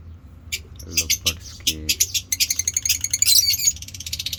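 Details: Pet African lovebirds of colour mutations, kept birds shown at feeding, in ngekek chattering: rapid, high, scratchy chirps in quick bursts, building into a dense continuous chatter over the last two seconds, with a brief low human voice early on.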